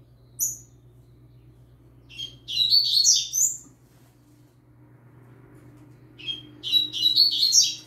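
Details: Young yellow-bellied seedeater singing alongside a green-winged saltator; two bursts of high, buzzy, twittering notes, the first around two to three and a half seconds and the second from about six seconds, over a low steady hum.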